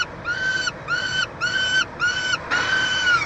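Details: Peregrine falcon nest box in Montreal, Quebec, 22 June 2023, chick being fed: five clear, harmonic, slightly upslurred wails, the last one longer and harsher.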